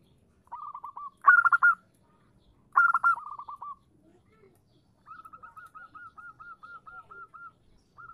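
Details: Local female zebra dove calling a male, meant to provoke answers; two loud stuttering bursts of cooing notes, then a long, steady, quieter series of evenly repeated short coos.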